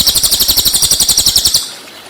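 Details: Cililin song for tutoring white-rumped shama: a single fast, high, rattling trill of evenly pulsed notes about seven per second, lasting about one and a half seconds before fading into quiet.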